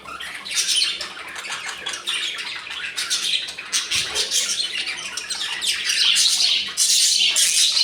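Budgerigars chatter in a continuous, busy warble of scratchy chirps and squawks.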